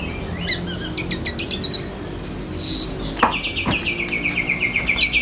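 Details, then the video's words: , a black-breasted Oriental magpie-robin, sings in the besetan kapas style with lovebird mimicry: high rapid clipped note series, a burst of harsh buzzy chatter, then a long fast trill that gradually descends, over a low background hum. "Kacer DAHIT besetan kapas tembak sambung lovebird"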